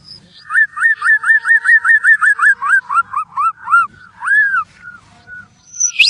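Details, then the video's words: White-rumped shama lure song for setting off other shamas: about fifteen rising, slurred whistled notes in quick succession, slowing into one longer arched whistle and a final high note. "Pancingan 100%Ampuh Murai Batu Gacor"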